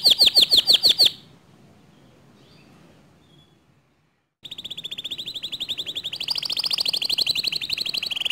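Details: Canary singing in a way said to stir other canaries to join in: a short burst of loud repeated chirps, a pause of near silence, then a long fast rolling trill that rises slightly in pitch.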